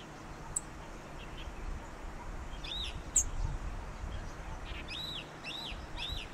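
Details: Japanese yellow bunting (Emberiza sulphurata) in Pingtung County, Taiwan, on 16 November 2019, giving soft, thin arched call notes, three in quick succession near the end, with a couple of sharp high ticks over steady low rumbling background noise.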